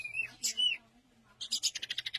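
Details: Orange-headed thrush song: a few clear whistled phrases, then a quick run of about ten high, sharp notes in just over a second; an omnivorous Indonesian songbird whose adult sexes look alike.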